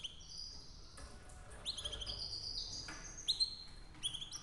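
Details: A canary's soft, distant song of sweet high whistled notes and short slurred phrases, spaced out over a quiet low background hum.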